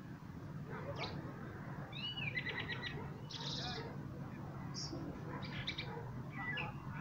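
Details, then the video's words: A common blackbird sings short fluty and twittering phrases a second or so apart, over a steady low rumble of wind or distant traffic. "Пение чёрного дрозда"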